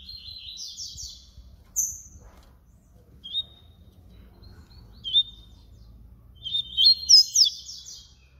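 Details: Papa-capim baiano in flute-style song: a short warbled burst, scattered single high whistles, then a closing run of quick bright slurred notes.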